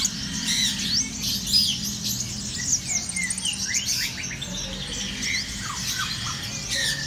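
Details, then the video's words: High, thin chirps and quick sliding twitters from a kept black-throated sunbird, uttered in irregular bursts over seven seconds, with a low background hum throughout. "hút mật họng đen"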